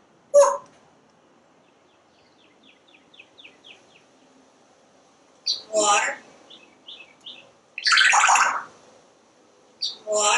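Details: Talkative pet parrot speaking nonstop from a screened back porch while watching squirrels and birds: loud, spaced, word-like bursts every couple of seconds, with soft rapid chirps of wild birds outside between them.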